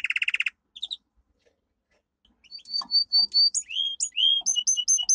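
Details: Strong domestic canary song used for training: a fast rattling trill, a short gap, then thin whistles, rising swoops and crisp alternating chips that speed into a rhythmic pattern.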